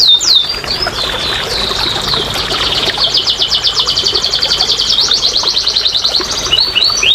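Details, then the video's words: Singing canary, used to coax quiet canaries to sing: opening down-slurred whistles give way to a long, rapid high trill with rhythmic pulsing, ending with a few more slurred notes. "TERAPI & PANCINGAN BURUNG KENARI MALAS BUNYI"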